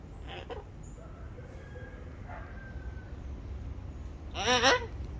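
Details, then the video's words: A turquoise-fronted amazon, a talking parrot, eating papaya gives a few soft, nasal notes, then one loud, harsh, wavering squawk near the end. The background is quiet with a low hum. "Loro hablador"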